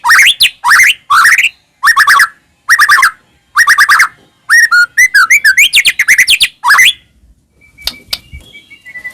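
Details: White-rumped shama song used as a lure for caged birds: fast series of rising whistled notes in tight bursts, then a run of looping warbled phrases, ending with a faint thin whistle.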